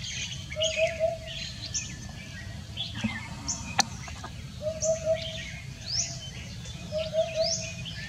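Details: On a heavily foggy Sunday morning, 31 January 2021, a common hoopoe gives soft, low triple hoots, 'oop-oop-oop', about every two seconds. Other small birds chirp and whistle high above over a low rumble.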